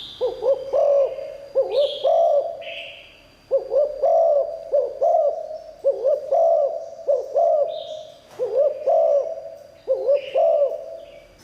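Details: Spotted dove, a 'liu tan' style singer whose fine voice lures wild doves. Phrases of mellow, hooting coos repeat steadily, about every two seconds. Brief buzzy higher notes from other sources are heard between phrases, over a faint steady high tone.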